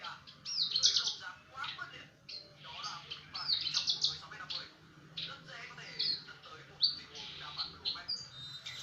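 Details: Brenjangan song used as training audio for songbirds: busy, high chattering phrases of chirps, rattles and short whistles in irregular bursts, with brief quieter gaps between phrases.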